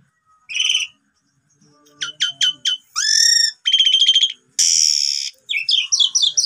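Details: Asian pied starling song played as a lure to get other birds singing: separated bursts of high whistled notes, a quick ladder of four clicks, buzzy trills, and a harsh broadband rasp near the end.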